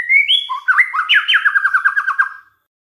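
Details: Song of a white-rumped shama played as a lure to provoke others: a high held whistle, then swooping notes that break into a fast, even trill fading out at the end.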